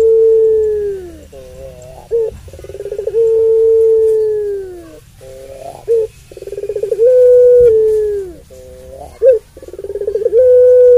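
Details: Puter pelung dove's long song, played as a lure to provoke other doves: repeated phrases of low sustained coos, each bending at the end, broken by quick pulsed rolling notes.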